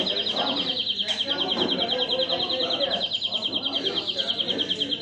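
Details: European greenfinch (Chloris chloris) song: a steady, rapid, high trill of evenly pulsed notes lasting the full five seconds, over a low murmur of background noise.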